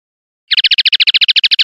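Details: Common linnet in clean 'pardillo limpio' song from a 2021/2022 CD: a very rapid, even trill of sharp chirping notes, roughly twelve a second, starting abruptly.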